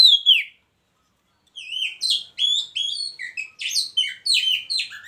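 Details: Oriental magpie-robin in a hanging cage beside a mating partner: one falling whistle, a second's silence, then a lively stream of quick, varied chirps and slurred whistles delivered in rapid bursts.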